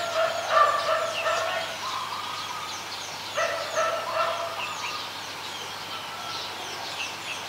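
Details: Zebra dove, adult, in Ubon Ratchathani, Thailand, on 28 December 2020, giving repeated bursts of fast, rolling cooing notes, loudest at the start, with scattered chirps from other birds.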